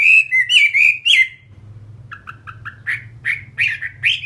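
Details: A caged hwamei of fighting stock opens with strong, warbled whistles, then after a short lull switches to softer, clipped notes that build back into louder rising phrases.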